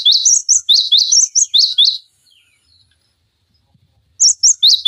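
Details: Cinereous tit tutor song for training other songbirds such as magpie robins and green leafbirds: quick, sharp, high whistled notes in tight repeated pairs for two seconds, silence, then a fresh burst of the same phrases.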